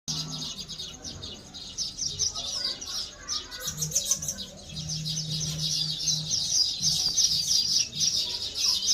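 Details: A busy flock of sparrows that have woven nests and laid eggs chirps almost nonstop while collecting food, with high, thin, overlapping tweets several times a second over a low steady hum.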